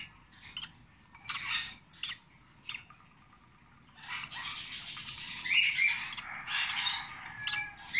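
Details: A 26-day-old rosy-faced lovebird chick during hand-feeding: a few short scratchy rasps, a quiet gap, then a long, nearly continuous harsh hissing rasp lasting several seconds, over a low hum.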